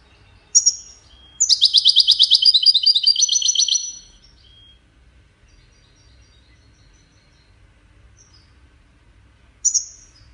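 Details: A sharp high chirp from a Wediani goldfinch, then a long, rapid, buzzy twittering trill of two and a half seconds, followed by quiet and one more chirp near the end.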